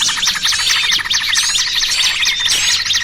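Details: Small-bird trapping lure mixing noisy trucukan and burcil kejepit calls, heard as a crowded flurry of sharp high tweets and looping whistled notes, several birds at once without pause.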